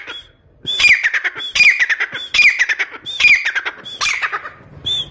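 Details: Teetar, the grey francolin, repeating a grating three-part phrase: a short clear whistle, then scratchy falling clucks. Five phrases come at a steady pace, ending on a lone whistled note.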